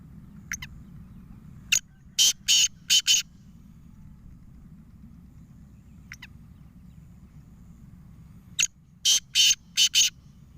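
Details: Black francolin, known locally as kala teeter: two harsh call phrases about seven seconds apart. Each is a short lead note followed by four loud rasping notes in quick rhythm, with soft pairs of notes between, over a low background hum.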